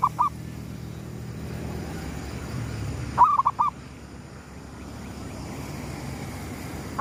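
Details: Zebra dove gedong mengo lure song at sunrise: the tail of one phrase at the start, then a full phrase of a rising coo and rapid tumbling notes, amid steady low background rumble.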